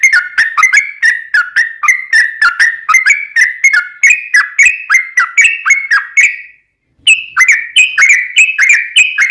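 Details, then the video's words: Lure recording of a persistently singing Yellow-vented bulbul in long 'ropel' style: a lengthy stream of quick, bubbly whistled notes rising and falling, a short silence, then more rapid higher-pitched phrases. "trucukan gacor ROPEL PANJANG buat pancingan trucukan agar bunyi"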